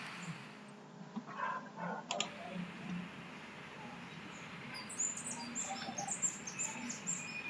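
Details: Andean Emerald, a species of Colombia, Ecuador and Peru, heard in a played-back song recording: thin, high squeaky chirps in quick irregular bursts in the second half, over a steady low hum and faint background noise.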